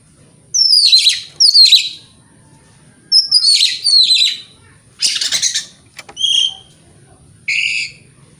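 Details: Kacer (oriental magpie-robin) singing as a lure to provoke other magpie-robins: sharp descending whistled flourishes in pairs, a harsh rasping burst, then short clear whistles and a final buzzy note, with silent gaps between.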